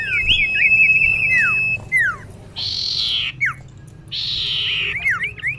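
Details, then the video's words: Common iora female calling to a male, giving wavering level whistles and quick downslurred notes, broken by two long buzzy hissing stretches and further sharp falling whistles. "Kicau cipoh betina memanggil jantan"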